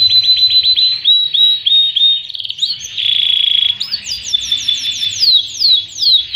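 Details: Canary tutor song for training young birds and coaxing reluctant singers, Panda canary with an elaborate varied song: rapid repeated high trills, a sustained buzzy rattle, then bright descending whistled notes in quick series.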